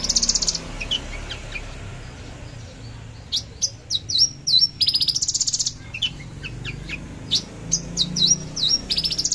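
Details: Javan bush lark delivering fierce trotol bursts, 13 December 2022: a high buzzy trill, a quieter pause, then clusters of sharp clicks, down-slurred whistles and further rapid trills over steady background hum.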